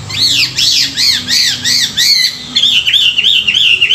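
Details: Chinese hwamei singing in the morning, recorded for song training of wild-caught birds; a series of loud arched whistles repeated about twice a second, then switching to a faster run of shorter, bouncing looped notes.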